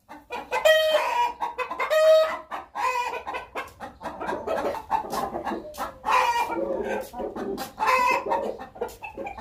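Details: Hen calling before going to lay an egg, making strange sounds: loud, rhythmic clucks and drawn-out squawking notes in irregular bursts, with other chickens clucking nearby.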